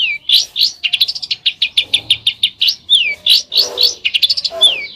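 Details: Lively besetan song from a bird: quick high chirps and slurred notes, with several sweeping downward whistles scattered through a busy, rapid run of sharp notes.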